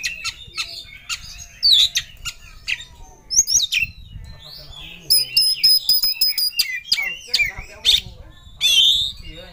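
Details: An Oriental magpie-robin sings with full emotion toward a rival, alternating sweet whistled phrases with harsh bursts and a quick ringing trill of repeated ticks.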